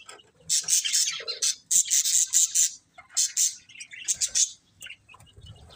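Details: Chirping budgerigars give rapid clusters of sharp, high, buzzy notes, several bursts in a row separated by short gaps, with a softer warble near the end.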